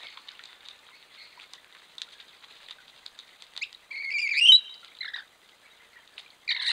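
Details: Camera-trap recording of wild Rainbow lorikeets (Trichoglossus moluccanus) splashing in water: soft ticking chatter, then a loud rasping screech near the middle, with shorter harsh squawks following.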